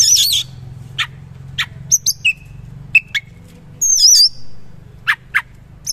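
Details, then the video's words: Oriental magpie-robin in a coarse, rich-filler song style. Sparse notes: a wavering high whistle, brief sharp clicks and short flat whistles, separated by gaps, over a faint low hum. "KACER GACOR MATERI KASAR ROLL TEMBAK ISIAN MEWAH"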